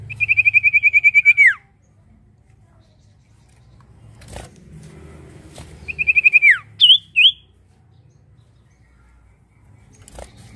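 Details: Lively prinia song for luring other birds to sing. A quick run of pulsed high notes drops at the end, then a later shorter burst and two separate chirps. A faint hum runs underneath.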